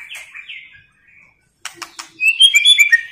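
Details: White-rumped shama giving the female 'tạch líu' voice used to excite males for fighting: soft slurred notes, a pause, a few sharp clicks, then a bright burst of quick high chirps and twitters.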